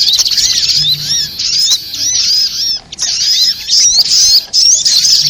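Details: Spiderhunter lure sound for trapping, rapid high chirps and squeaky sweeping notes in fast bursts, about three per second, separated by short gaps.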